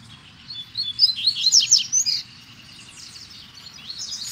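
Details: Double-collared seedeater (Sporophila caerulescens) territorial song among trees, a quick high twittering jumble from a nearby bird answered by a fainter rival farther off, the recordist standing between two neighbouring territories; the distant bird seemed to sing more strongly.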